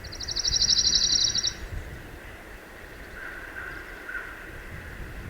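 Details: A Pine Warbler, fairly non-migratory, in Mississippi piney woods and longleaf pine savanna, gives a quick, even, high trill of rapidly repeated notes lasting about a second and a half. Soft background hiss follows.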